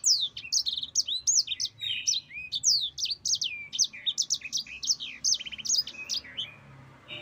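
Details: Sanger, or yellow-fronted canary, delivering lively 'ngerol panjang' rolling song meant as a tutor for other canaries: dense chains of bright, high whistles, fast trills and sliding notes, ending in a brief quieter spell.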